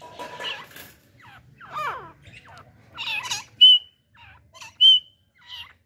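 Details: Male and female partridge pair, with a hunting decoy hen, calling: short rough chirps and descending slurred notes, then two loud pure whistles about a second apart, over a faint low hum.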